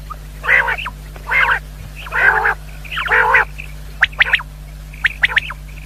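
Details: Common quail calls for hunting lures: four rough, buzzy bursts about a second apart, followed by clipped, high, whistled notes in quick triplets, over a low hum.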